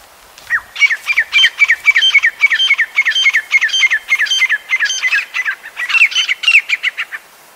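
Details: High-pitched call of a grey francolin, or sangli, recorded in Pakistan. A quick run of about twenty sharp, ringing notes, each dropping slightly in pitch, pours out at a brisk pace before stopping abruptly.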